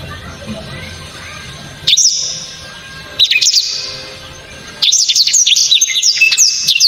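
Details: Black-throated canary giving loud, sharp, very clear song shots: three separate bursts of high, rapid whistled trills and chips, the last longest and densest, with quiet background between.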